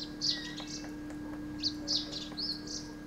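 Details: Himalayan Woodpecker, also called Himalayan Pied Woodpecker, giving short, sharp, high-pitched notes, singly and in quick pairs, spread across about three seconds, over a steady low electrical hum.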